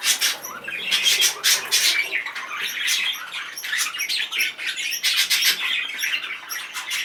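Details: Highly excited male budgerigar, indoors, pouring out rapid harsh chatter: clustered squawks and bright chirps repeating several times per second, loud bursts near one and five seconds.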